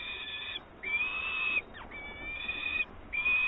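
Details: Peregrine falcon at a nest in Włocławek on 24 May 2022, when an adult brought live prey. Three drawn-out, harmonic, slightly rising calls are separated by short gaps, with a brief downward-sweeping note between them over low background hiss.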